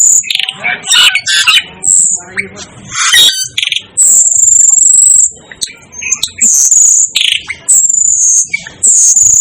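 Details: Asian glossy starling, nicknamed the 'devil' bird: long, thin, very high whistles held for about a second, mixed with rasping chatter and squeaky chips, repeated several times.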